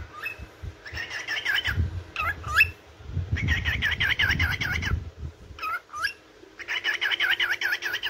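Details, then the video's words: Morning chirping and song of a yellow cockatiel: three stretches of quick, wavering warbled notes separated by sharp rising whistles, with low rumbling noise beneath the middle passage. "تغريد وغناء طائر الكوكتيل الاصفر"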